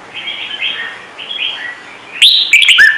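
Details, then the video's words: Trung Mang red-whiskered bulbul with a song used to make newly trapped bulbuls sing: faint, slurred whistles, then a sudden loud phrase of sharp whistled notes that ends in a falling slur. "CHÀO MÀO | Trung Mang hót giọng chuẩn cực hay - Bổi nghe là hót"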